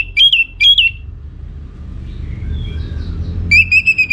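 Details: Orange-headed thrush singing gaily to draw answers from other birds. Two short, bright whistled notes, faint distant chirps, then a sustained, wavering high whistle near the end, over low background rumble.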